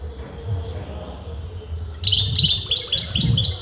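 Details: Goldfinch of disputed sex pouring out continuous song: after two seconds of low background rumble, a rapid string of sharp, high, repeated twittering notes begins and carries on to the end.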